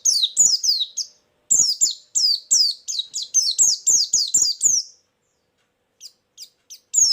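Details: Lure sound of a white-eye: rapid high twittering notes that each slide downward, delivered in a steady burst over soft clicking knocks, then a pause with only scattered single chips.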